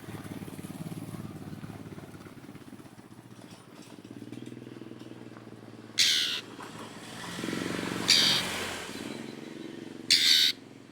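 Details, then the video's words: Oriental magpie-robin, kacer, calling out a rival: three loud harsh rasping bursts spaced about two seconds apart over a low rumble of motorcycle and traffic noise. "NGEPLONG TERIYAKAN KACER MEMANGGIL LAWAN"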